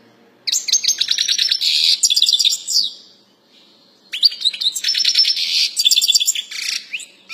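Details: European goldfinch song: two bursts of rapid, twittering, tinkling notes mixed with buzzy trills, each lasting about two to three seconds and separated by a short pause, high-pitched and lively, with no other sounds heard.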